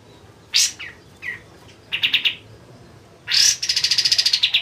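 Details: Kapas tembak white-eye in energetic voice, recorded as a tutor song: loud sharp chirps and a short run of quick notes, then a high rising note opening into a rapid, descending trill.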